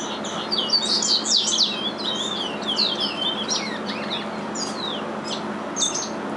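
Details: Two captive-bred curiós (chestnut-bellied seed finches) sing the same regional Curitiba-style song as their father. High, rapid chirps and slurred notes tumble together in dense bursts, with a steady indoor hiss beneath.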